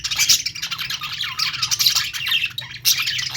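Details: Budgies singing in busy, continuous warbling chatter of rapid high chirps, short whistles and scratchy notes that rises and falls in waves, with a steady low hum in the background.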